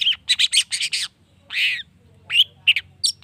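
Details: Lure song of a long-tailed shrike, meant to stir other shrikes into answering: a quick burst of about seven rasping chattering notes, a pause, one drawn-out hoarse squawk, then scattered sharp upslurred chips.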